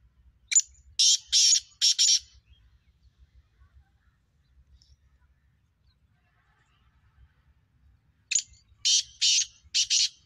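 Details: Kala teetar, the black francolin, utters two harsh phrases about eight seconds apart. Each is a short sharp note followed by three or four loud grating, buzzy syllables, with silence in between.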